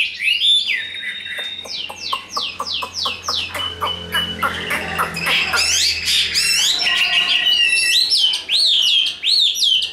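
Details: Chinese hwamei, tame and heavy-bodied, in fighting display: rapid series of down-slurred squeaky notes, then dense chattering and clicking, ending in loud swooping whistles.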